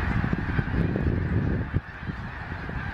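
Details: A huge flock of wild Snow Geese flying around Gordon's Pond, Cape Henlopen State Park, Delaware, after a mass takeoff in late December on a gray, overcast day: a dense, continuous honking chorus, with low rumbling wind gusts underneath.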